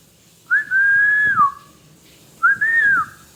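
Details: Talking pet parrot repeating a clear whistle twice, about two seconds apart, each rising briefly, held level, then sliding downward at the close, over quiet low rustling.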